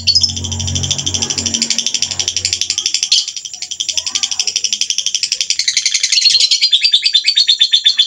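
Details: Murai batu, white-rumped shama, delivering harsh 'tembakan kasar' song filling for training contest birds: dense, very rapid high buzzy pulses, about four per second, running nearly unbroken, with a low hum at the start.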